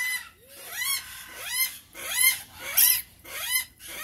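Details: Rainbow lorikeet uttering softer curved squeals, five in a row about every 0.6 seconds, each sweeping up then down, with a brief scratchy burst in the middle.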